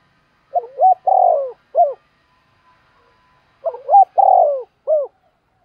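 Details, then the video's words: Lure spotted dove cooing to draw in wild birds; two clear phrases three seconds apart, each of short rising notes, one long mellow coo falling at the end and a brief final coo, in quiet surroundings. "chim cu gáy kích bổi gáy cả ngày"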